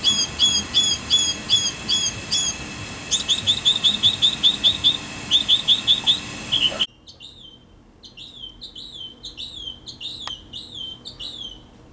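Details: Singing mockingbird near a cabin porch: bright, layered notes repeated in rapid sets, then switching abruptly to a different, quieter downslurred phrase repeated several times.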